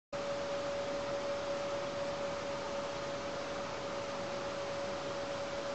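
A single unbroken pure tone holds steady over a wash of broadband hiss, with no animal voice anywhere.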